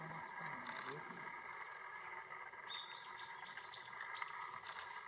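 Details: A male Red-flanked bluetail in Yokohama, January 20, 2021, gives a run of about five quick, high, rising notes in two seconds, over a steady background hum and a brief human voice at the start.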